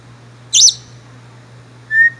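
An African grey parrot gives one sharp, high squawk, then after a second's pause a short, clear, level whistle, over a low steady hum.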